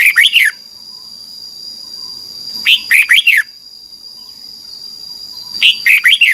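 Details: Red-whiskered bulbul song from Thailand, played to help young birds learn to sing: three short phrases of four or five bright, warbling whistled notes, about three seconds apart, over a steady high whine.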